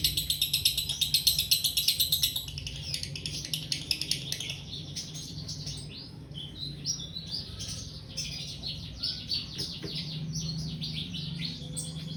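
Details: Female lovebird in breeding condition; a fast run of sharp, high chirps about three per second, followed by busier, irregular high twittering and squeaky notes, with a low steady hum underneath.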